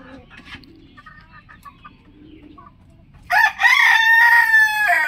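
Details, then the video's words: Rooster crowing in the morning: after about three seconds of faint scattered chirps and low background noise, a loud harmonic crow bursts in, held steady and then falling away at the end. "most beautiful rooster in the world"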